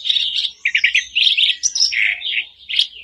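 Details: Caged-bird lure of sooty-headed bulbul song, dense run of bright chirps and warbled notes at high pitch, with short slurred whistles throughout.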